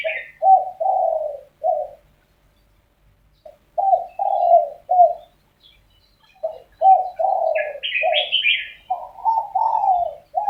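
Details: Morning exchange of spotted doves said to be arguing; repeated throaty cooing phrases of three to four notes each, separated by short pauses, with a brief higher chirping from another bird.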